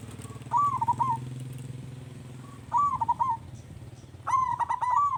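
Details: Zebra dove singing to make other doves answer: three short rolling coo phrases, each a rising note then a quick wavering trill, repeated about every two seconds over a steady low hum and background noise.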